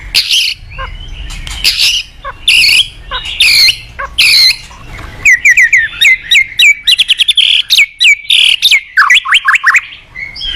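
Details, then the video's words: White-rumped shama, a lively singer used as a master bird to train other shamas, gives loud bursts of sharp chattering notes, then a rapid run of bright, clipped whistles rising and falling, many notes in quick succession. "Masteran burung MURAI GACOR bagus buat Pancingan MURAI BAHAN"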